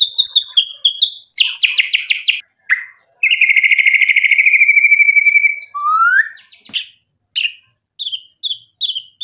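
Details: Gacor white-rumped shama, a singing murai batu meant to rouse other birds, delivers rapid high trills, a long rattling buzz, a rising whistle, and then short spaced chips separated by pauses.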